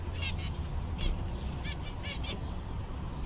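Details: Seven zebra finches, content on a summer day, giving short nasal, trumpet-like calls in loose bursts of two or three, over a constant low rumbling background.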